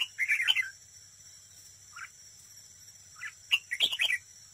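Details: Competitive singing from a red-whiskered bulbul decoy at a trap: a chattering phrase of bright notes, two isolated short chirps, then a longer lively run of warbled notes near the end.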